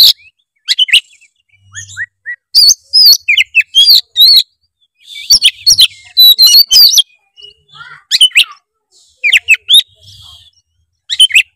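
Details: Oriental magpie-robin in loud 'gacor full isian' song, used as a lure to get lazy birds singing: bursts of sharp, varied whistles and chattering notes come in clusters separated by short pauses over nearly twelve seconds.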